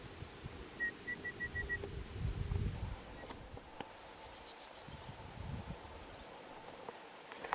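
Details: Red-browed pardalote in Sturt National Park, July 2021, giving a quick run of five clear, evenly spaced piping notes over steady low rumbling from wind or distant traffic.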